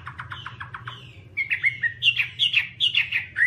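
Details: Rapid stutter of short repeated notes from a Chinese hwamei, turning into louder, chattering and whistled phrases.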